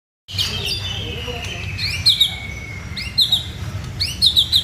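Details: White-rumped shama singing vigorously: a long clear whistle sliding slowly downward, then bursts of sharp high chirps and quick trilled phrases repeated about once a second, over a steady low hum.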